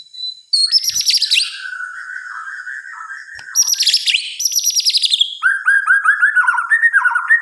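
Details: Night song of a white-rumped shama, varied and rich. High bright flourishes lead into a long lower whistled tone, then sweeping high phrases and a quick string of short looping notes.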